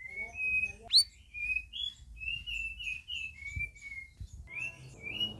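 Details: Group of red-whiskered bulbuls in their first week of care; almost continuous bright, slightly warbling whistles, one sharp upswept note near the start, over a faint low hum.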